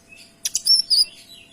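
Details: Kinoy in busy tembakan song, clear and tight: two sharp high chips followed by sweeping whistled notes that rise and fall, ending in a thin fading whistle.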